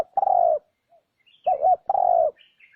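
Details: Spotted dove lure recording meant to attract wild doves: low hoarse coos, a long steady note, then a short bent double note and another long coo, with faint high bird chirps in the background.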